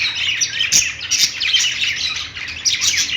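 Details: Several budgies on a perch in a pet store warble and chirp nonstop, a busy tangle of high twittering notes with a few brighter squeaks at intervals.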